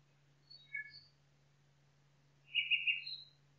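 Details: Nightingale singing in a forest: a few short, high chirped notes, a pause, then a louder buzzy burst followed by a thin high note, over a steady low hum.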